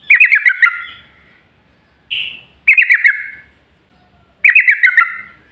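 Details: Yellow-vented bulbul singing as a lure for other bulbuls: three chattering, bubbly phrases of quick looping notes, plus a brief higher buzzy note between the first two.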